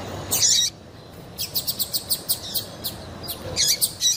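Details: Calls of a female double-collared seedeater meant to get males singing for song competitions; a high scratchy burst, a pause, then a steady series of thin chirps about four per second and more bursts.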